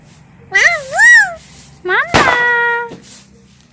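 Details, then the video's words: Pet talking parrot mimics speech in short voice-like phrases with swooping, wavering pitch, then a sharp harsh burst settling into a steady tone. "Talking Parrots"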